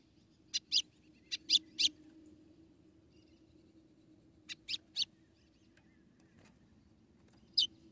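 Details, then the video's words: ['Female white-throated seedeater in Rio Grande do Norte, Brazil, calling to excite the male: clusters of quick, high, clipped chip notes, three to five in a run, then a pause and one final chip, with a low hum behind.'] "Fêmea de golinha ou patativa brejal chamando e macheando para esquentar o golinha"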